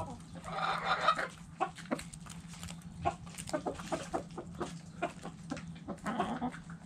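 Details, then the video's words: Backyard hens in their coop, clucking: irregular short clucks and a couple of longer harmonic calls, with a low hum behind. "Backyard Chickens Relaxing Video In The Chicken Coop! Sounds Noises Hens Clucking Roosters Crowing!"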